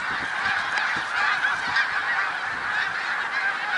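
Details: Huge gathering of snow geese at Middle Creek Wildlife Refuge in Pennsylvania, 1 March 2021, giving a constant wall of shrill, yelping honks, countless birds calling at once.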